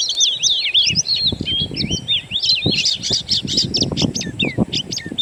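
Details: Natural Oriental magpie-robin (kacer) song meant to lure kept birds into singing: loud, continuous cascades of twisting whistles and chattering notes, over low rustling and thumping underneath.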